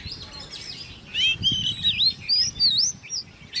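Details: Ten-month-old hand-reared Oriental magpie-robin in a cage, singing in competition: a run of loud, clear, swooping whistles with rising and dipping slurs, over faint chirps and low rustle.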